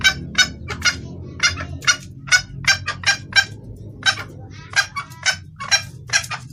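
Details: Hen red junglefowl calling a male, used as a lure: clusters of harsh clucking notes in uneven bursts separated by short pauses, with a soft low hum throughout.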